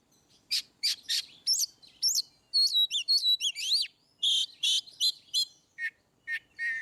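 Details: Oriental magpie-robin in ngeplong style, used as a master track to prompt birds that rarely sing: loud varied song of harsh buzzy bursts mixed with sharp rising and falling whistled notes, delivered in quick separate phrases.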